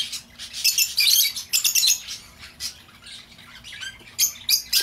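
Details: Lovebird calls meant to lure back an escaped bird: bursts of harsh, high, scratchy squawks and twitters in uneven clusters, with a loud flurry near the start, quieter gaps in the middle, and sharp chirps returning at the end.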